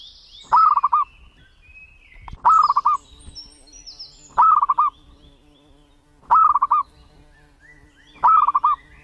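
A zebra dove gives short, rapid, stuttering coos about every two seconds, mid-pitched and rattly, with faint chirps of other birds and a low steady hum behind.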